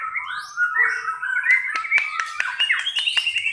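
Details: White-rumped shama in a simulated bird singing contest, pastol class: loud, varied whistled phrases sliding around mid-high pitch, with overlapping notes and sharp dry clicks in the second half.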